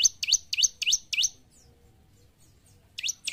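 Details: Bar-winged prinia (ciblek), a lively singing bird whose song is used to train other kept birds to sing sooner: rapid sharp, high V-shaped chirps, about four in a second, then a short pause before the chirping resumes.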